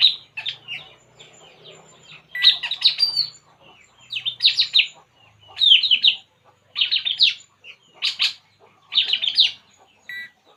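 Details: Relaxed puling bird utters short bursts of quick, sharp chirping notes in tight clusters, spaced about a second apart, after a quieter opening with soft twitters.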